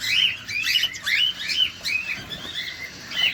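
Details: Chirping cockatiel while feeding, close range: a quick run of arched, whistled chirps, roughly two per second, some rising then falling, continuing throughout.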